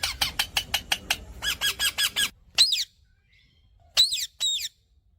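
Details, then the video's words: Indian parrot giving a fast run of sharp, harsh squawks, then a few louder screechy calls with bending pitch and short pauses between, in a quiet indoor setting. "Indian cute parrot sound"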